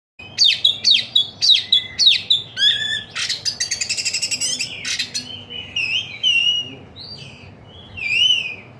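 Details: A bird sings a lively, varied song close up: repeated sharp descending whistles, then a fast buzzy rattling trill, followed by rising and falling whistled phrases with a clear, loud, ringing tone.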